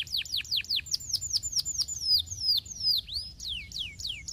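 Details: Canary song used as a master recording for training: rapid series of bright descending whistled notes, about two to three per second, sweeping down in pitch, with a few higher thin notes mixed in.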